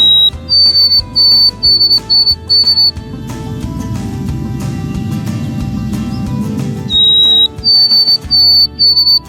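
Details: White-throated Sparrow in a backyard in May, singing its "oh sweet Canada Canada" song of clear, pure, high whistles: a lower opening note, a held higher note, then repeated notes. A burst of music and noise fills the middle.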